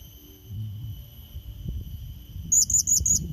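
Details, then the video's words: Calling to lure and challenge a rival, a blue-crowned hanging parrot gives a fast series of four shrill high chirps at the end, after a stretch of low background rumble and a steady faint whine. "Serindit Pikat Memanggil Lawan | Bunyi Pancingan AmpuH & Cepat Di Respon Burung Serindit Malas bunyi"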